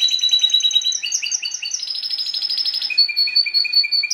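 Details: Song of a pet Timbrado canary: quick repeated double notes, then a dense buzzy roll of rapid pulses, ending in slower evenly spaced chirps repeated several times a second.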